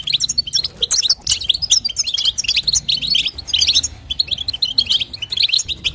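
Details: European goldfinch female calling to stimulate the male, giving jumbled high twitters and sharp chirps in short phrases, a brief pause near four seconds, soft low hum behind.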